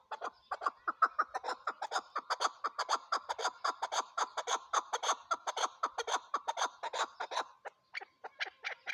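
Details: Chukar partridge in a loud, rapid series of harsh chuk-chuk clucks, tightly packed and rhythmic, with a brief pause near the end before resuming.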